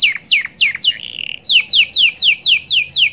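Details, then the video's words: Kenari singing 'cengkok' with 'glatik batu' fill-ins: three long drooping whistles, a steady buzzy tone, then seven evenly spaced downward-sweeping notes at about four per second. "AUDIO MASTER BURUNG KENARI CENGKOK SUPER MEWAH FULL ISIAN {GLATIK BATU}"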